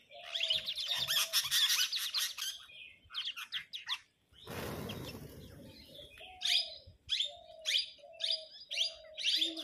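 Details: Parrots chattering in a flock while arguing over food: thick, raspy overlapping screeches, a two-second burst of rushing noise, then short harsh squawks repeated nearly every half second with low tonal notes below.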